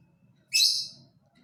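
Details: A lovebird utters one brief, shrill, high-pitched squeaky chirp that tails off quickly, with quiet low background rumble around it.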